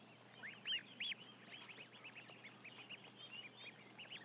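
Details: Ducklings numbering about a thousand; two loud, ringing arched peeps close by early on, followed by a rapid, irregular stream of fainter peeps from many birds over quiet hiss.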